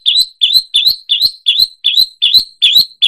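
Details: Long-tailed shrike mimicking songbirds, a steady run of high chirps, each note rising then slurring down, repeated about three times a second with an even beat.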